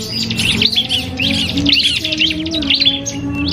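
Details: Common iora, called cipoh kristal, dueling in song with a prinia, a training recording for caged birds: fast high twittering bursts and slurred whistles run together above a low humming drone.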